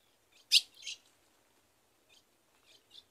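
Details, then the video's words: Brazilian caatinga, Rio Grande do Norte: a female ultramarine grosbeak calling to the male for mating, one loud harsh chip followed by a softer rasp, then a few faint chips after a pause. "Fêmea de azulão chamando e pedindo gala para esquentar o macho e macheando"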